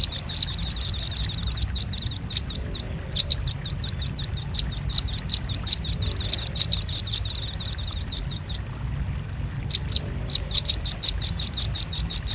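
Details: Bird-luring recording of velvet-fronted nuthatch: long stretches of fast, high-pitched chattering chips, alternating between dense trills and looser runs, with two short silent gaps.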